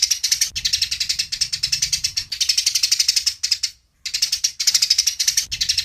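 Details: Eurasian tree sparrows in a fight, captured cleanly for songbird training: fast, strident chirping pulses running steadily, one brief silence just before the end, then the harsh chatter resumes; faint low hum beneath.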